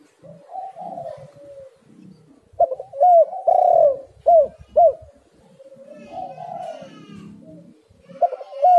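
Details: Tekukur, the spotted dove, used as a calling lure: soft cooing, then a loud run of hooked, arching coos between two and five seconds, more soft coos and a final loud note.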